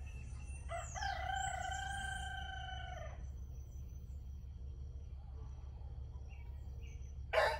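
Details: A rooster crows at daybreak, a two-part strained crow of about two seconds, followed by quiet with a faint low hum and a brief sharp noise at the end.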